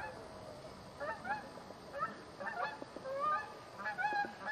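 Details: A flock of Canada geese visiting a cottage at Lac Goulet honks with short nasal calls overlapping irregularly over a steady low background murmur.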